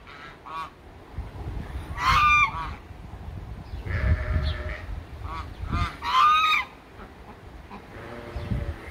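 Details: Farmyard domestic geese, kept alongside ducks, pigs and sheep, give several loud brassy honking bursts spaced a few seconds apart, with quieter nasal notes in between over low background rumble.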